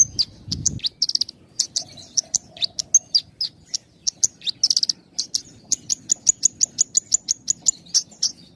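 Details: Javan bush lark singing with close pauses, played to prompt raw and half-trained birds: a long run of sharp, high ticks and short buzzy chirps repeated several times a second, with a thin sustained whistle near the end.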